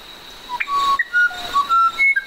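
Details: Musician wren singing a melodious song of pure whistled notes at varied pitches, some steady, some sliding, with a short upward flick, given in a rapid irregular series over a constant high background hum.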